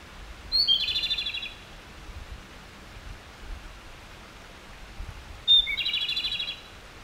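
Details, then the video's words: A Japanese robin gives two phrases of subsong: a brief sharp whistle leading into a rapid rattling trill, repeated after about five seconds, with faint hiss between. "コマドリのさえずり（ぐぜり）Japanese robin Erithacus akahige song"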